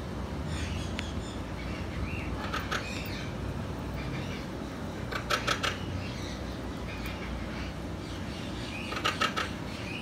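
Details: Sulphur-crested cockatoo chick, two months old, producing short scratchy rasping bursts in irregular clusters spread across the recording, against a constant low droning background.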